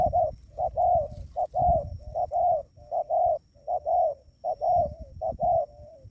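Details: Trained decoy spotted dove cooing to draw in wild doves: a steady run of about thirteen short, hollow mid-pitched coos in six seconds, some paired, with faint low-frequency background noise throughout.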